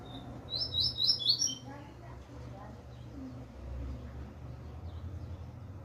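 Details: A young double-collared seedeater coming out of moult delivers a quick, high chattering phrase of about five sharp notes in one second, then falls quiet. A constant low electrical hum and faint background murmurs continue.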